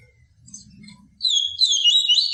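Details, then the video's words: Pure 'tui tui viviti' song of a yellow-bellied seedeater, meant to stimulate and teach captive birds: after a quiet low murmur, a sudden bright stream of high whistled and trilled notes starts and runs to the end. "CANTO DO PAPA CAPIM TUI TUI VIVITI, CANTO PURO"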